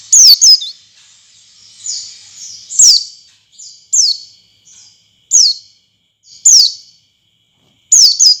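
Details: White-eye lure sound for coaxing other white-eyes into full song: bright, high downslurred tweets, some doubled, spaced irregularly about once a second, with softer faint notes between.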